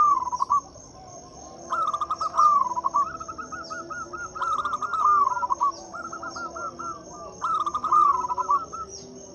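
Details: Local Zebra Dove song played to coax mute doves into singing: repeated phrases of rapid rolling coos, about one every two to three seconds, some overlapping, with a constant high-pitched tone throughout.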